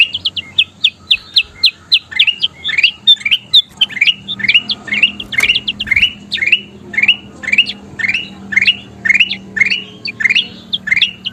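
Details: Persistent kutilang emas bulbul song used for tutoring songbirds: an even chain of rising chirps, about two per second, with sharp high notes mixed in and a faint low hum.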